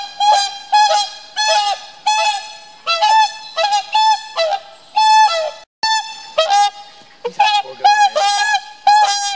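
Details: Whooper swans calling in a pair-bonding exchange: loud, nasal, trumpeting honks with rich overtones, given in quick bursts of two or three notes, with brief pauses and overlapping calls over about nine seconds.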